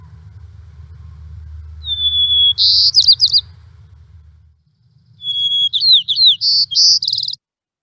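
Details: A White-crowned Sparrow gives two songs, each opening with a clear sustained whistle and breaking into buzzy trills and rapid chirps, with a low rumble underneath at first.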